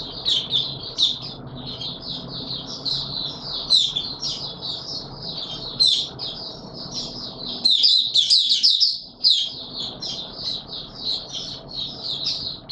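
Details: White-eye, Mata Puteh Raja, in sustained open song during warm humid weather on 20 March 2022: long, busy twittering of high rapid notes, about two a second, with louder sharp bursts midway, over low background noise.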